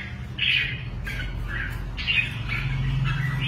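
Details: Caged competition red-whiskered bulbul giving short bright warbled phrases, each about half a second, separated by brief pauses, with a steady low hum behind.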